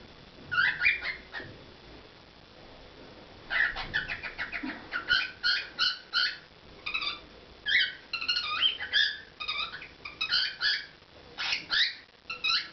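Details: Cockatiel kept as a pet, performing: a long, lively sequence of rapid chirped and whistled notes, many short pulses in quick succession, with brief pauses between bursts.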